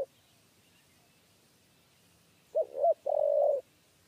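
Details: A spotted dove gives a 'kuk 3' coo while being lured toward a trap cage. After a long silence come two quick hooped notes and then a drawn-out flat coo.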